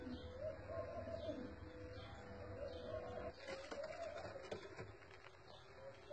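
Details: Domestic Filo pigeons cooing: low, rolling, throaty coos in repeated phrases of about a second each, pulsing steadily, with faint background clatter and a quieter stretch near the end.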